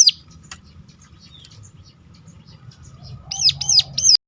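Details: Three loud, sharp, arched notes from a hill prinia close a mostly quiet stretch of faint chirps and low hum. The call is played to stir other birds into singing.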